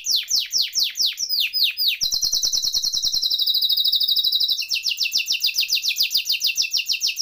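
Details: Singing canary, used as tutor song to start silent canaries singing; it opens with quick down-swept chirps, then a dense buzzing trill, then a fast steady roll of high notes.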